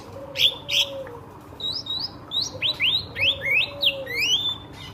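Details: Ashy drongo calling to stimulate other birds: two loud sharp notes, then a quick series of rising, sweeping whistles, some paired, over a low steady hum.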